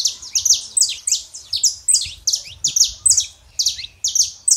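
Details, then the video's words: Male and female Saffron finch singing to stir a quiet canary into song; a steady stream of loud, high, sharply falling chirps, roughly two to three per second, with faint low rumble beneath. "canário da terra fêmea e macho pra esquentar seu canário frio"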